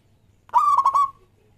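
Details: A local zebra dove gives one soft, mellow coo that breaks into three quick stuttering notes at a steady mid pitch, within about half a second; a lure call for zebra doves. Otherwise near silence.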